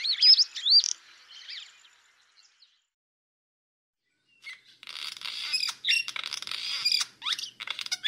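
Swallow song: a rapid, high twittering of chirps and squeaky notes, a brief silent pause, then a denser run of chattering twitters with buzzy trills.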